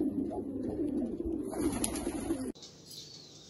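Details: Rare Australian pigeons. Deep, rolling coos overlap for about two and a half seconds and then stop abruptly, leaving only quiet hiss.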